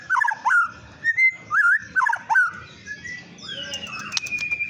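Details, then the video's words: White-rumped shama singing as a lure to provoke other birds: loud, clear whistled phrases of rapid swooping, warbling notes in short bursts separated by brief pauses, then softer higher notes. "Pancingan burung murai batu bikin emosi"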